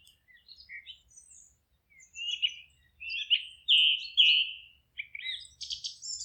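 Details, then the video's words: Forest birds singing: a string of high chirps and twittering phrases, with louder warbled trills around the middle and a buzzy, rising flourish at the end; a faint low rumble underneath. "Forest relaxing sounds of singing birds"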